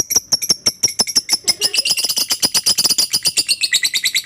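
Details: Lovebird chatter played to encourage other lovebirds to sing: spaced sharp clicking notes that speed up into a fast, high, buzzy chattering series.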